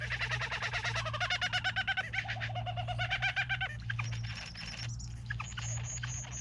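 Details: Three bowerbirds: a rapid, rhythmic run of nasal, ringing notes repeated almost three times a second, fading after about four seconds into softer high ticks, over a faint low hum.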